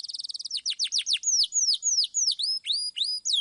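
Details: Canary singing clearly to prompt young birds: a quick high trill opens, followed by a series of loud downslurred and upswept whistled notes, each about a quarter second apart.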